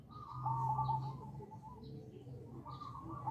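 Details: Bangkok-type zebra dove calling as a lure for other doves; a trilled coo opens, softens in the middle, then returns, all over a prominent low hum.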